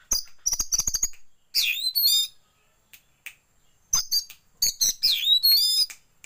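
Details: Oriental magpie-robin song used as a lure to make caged birds open their tails, filled with white-rumped shama song: rapid high clicking notes, rich slurred rising and falling whistles, a quiet gap, then more sharp notes and whistled phrases.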